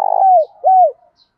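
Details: Spotted dove used as a decoy to call wild doves in the morning: two smooth, mellow coos, the first held then sliding downward, a short gap, then a second arched coo falling away at the end.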